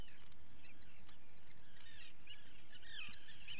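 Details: Common guillemot chicks being fed, recorded on a live webcam on 28 June 2020; a regular series of high, clipped peeps, roughly three per second, sits over softer lower calls and steady background noise.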